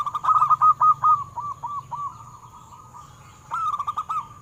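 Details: Local zebra dove singing as bait to start captive doves singing: a rapid cluster of loud coos fading into softer, spaced hooked notes, then a fresh loud burst at the end, with a low hum underneath.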